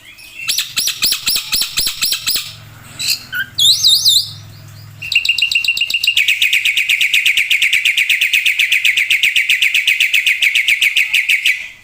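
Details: Loud gacor singing of a black-winged myna full of isian: evenly pulsed bright phrases, a few swooping whistles, then a long fast rattling trill of uniform notes lasting about six seconds.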